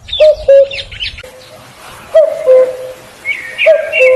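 A cuckoo gives its two-note falling 'cu-koo' three times, low and hollow, about every one and a half seconds, with thin chirps from other small birds.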